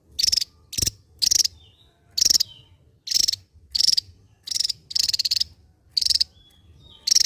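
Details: Javan white-eye from Java delivering a loud ngebren song of dense, buzzy, drill-like rattles, each lasting a fraction of a second and repeated steadily, with a few thin whistled notes between.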